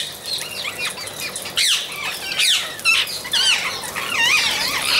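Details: Amazon parrots giving harsh, rising-and-falling squawks with bright whistled overtones, several overlapping calls in quick bursts that grow louder toward the end.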